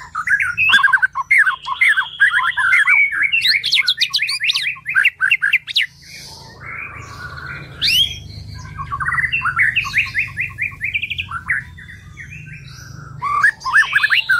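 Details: Tutor recording of a white-rumped shama (murai batu) delivering continuous varied song: rapid chattering trills and short whistled phrases in loud bursts, a soft pause with low hum around the middle, then more vigorous chatter.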